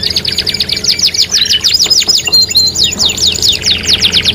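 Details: Canary song used as a lure to stimulate other canaries to sing; fast, bright, high trills and rapid descending sweeps, continuous and dense, with a faint low hum beneath.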